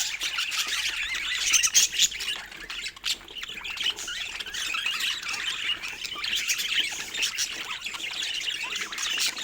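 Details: Steady budgie chatter, a dense mix of scratchy squawks and thin chirps from several birds, with louder bursts near the start and a few sharp clicks.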